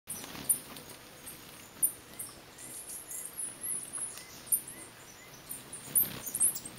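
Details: A booted racket-tail hummingbird (Ocreatus underwoodii) at Bellavista Cloud Forest near Tandayapa, Ecuador, gives very high, thin chips singly every one to two seconds, with faint, softer chirps from another bird in the background.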